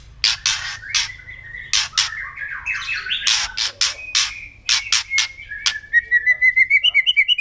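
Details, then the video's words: Provoking kretekan of a white-rumped shama: rapid harsh crackling bursts mixed with wavering whistled phrases, ending in a fast, even series of sharp high notes that speeds up. "KRETEKAN MURAI BATU LANGSUNG AUTO EMOSI"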